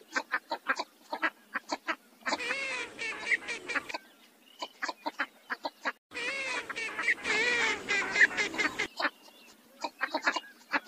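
Northern shovelers give quick, dry clucking notes in steady runs, broken by two bursts of harsh, overlapping quacking from several ducks calling together.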